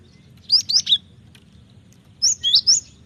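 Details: Cinereous tit, offered as a training lure, singing two quick phrases of three high, clear whistled notes, each slurring down, about one and a half seconds apart, over faint low hum.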